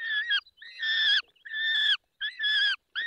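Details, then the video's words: Peregrine falcon calling during feeding at 10:22 on 20 May 2021 in the Barycz Valley: loud wailing, harmonic calls, each about half a second or more, repeated in an irregular series with short pauses. "Karmienie 10:22 Dolina Baryczy 20 05 2021 sokół wędrowny"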